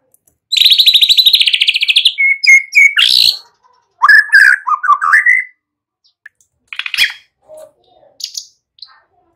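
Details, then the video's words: White-rumped shama song used to coax young birds into singing: a fast buzzy trill, then clear whistles and a tumbling series of varied whistled notes, with scattered short calls after. "Pancingan murai BAKALAN Agar ikutan NGEPLONG GACOR dengan CEPAT"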